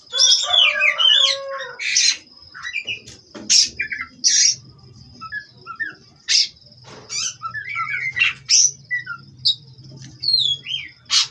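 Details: Oriental magpie-robin, captive-bred Cirebon lineage, delivering a long rambling song of harsh scratchy bursts, clear upslurred and downslurred whistles and rapid twittering, roughly one phrase per second, over a constant high tone and faint low hum.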